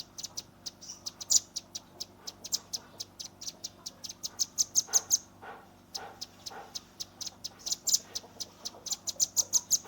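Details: Continuous 'tembakan' song of a juvenile red-billed nuthatch, phone-recorded: dense streams of very high, sharp chips, about three a second, with a brief pause midway before the rapid ticking resumes.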